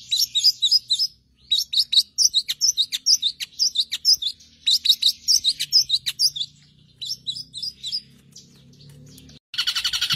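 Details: Master song from a long-tailed shrike for teaching songbirds: phrases of quick, bright chirps in groups of four to six, separated by brief silences, ending in a loud buzzy burst.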